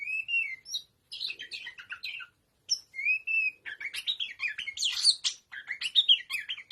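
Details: Tame oriental magpie-robin, known locally as kacer, singing in ngobra style: rich varied phrases of whistled slurs and buzzy chattering notes, with clear rising-falling whistles broken by short pauses.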